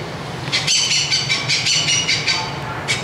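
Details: Indian pied hornbill, Anthracoceros malabaricus, at a zoo in Hanoi, Vietnam, calling the flock: loud, harsh, rapid cackling bursts with a nasal, rattling quality, pulses running together in a steady chatter, with a low hum underneath.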